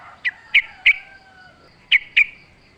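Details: Sooty-headed bulbul in wild-style singing, used as a lure for caged birds: five sharp, bright, separated notes in two groups, with faint drawn-out thin tones between them and a quiet low hum.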